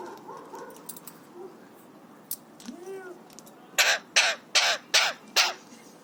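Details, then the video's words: Pet Alexandrine parakeet, three years old, happy and excited, imitating coughs, whistles and screams: soft low chatter and one rising note, then five loud, harsh, broadband screams in quick succession, about two a second. "Alexandrine Parrot Talking | Happy/Excited Parrot | Parrot imitates Cough & Whistles & Screams"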